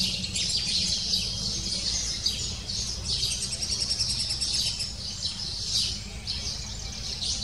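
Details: Nestling lesser spotted woodpecker calling insistently to its parents at the nest; strings of very high, quick chirps come in pulsing bursts, with a constant low drone beneath.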